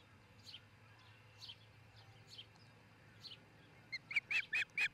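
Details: Osprey at its nest in Charlo, Montana, recorded by a nest camera on 22 June 2018 between about 04:50 and 05:50; faint descending chirps roughly once a second, then five loud sharp chirps in quick succession, over a low steady hum.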